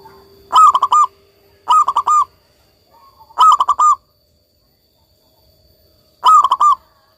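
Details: Frequent singing from a local Indonesian zebra dove: four evenly shaped phrases of stuttering, purring coos, each about half a second long, repeated every one to three seconds against a faint constant whine.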